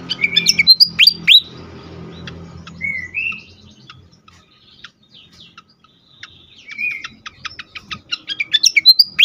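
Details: Agitated fantail used for bird luring and stimulation. Loud swooping whistles and chips open, followed by sparse short whistled slurs and isolated ticks, then a renewed fast run of high chips at the close.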